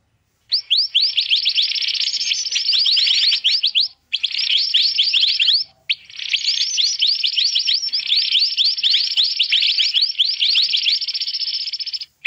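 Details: Black-naped monarch, a noisy mantenan call used to lure birds for trapping: three long blocks of fast, rising, overlapping chirps over a hissy wash, separated by short silences near four and six seconds.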